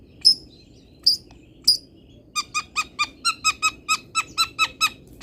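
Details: Local Indonesian long-tailed shrike fill-song training material: a few thin high whistled notes, then a fast even train of about fourteen short clipped notes, roughly five per second.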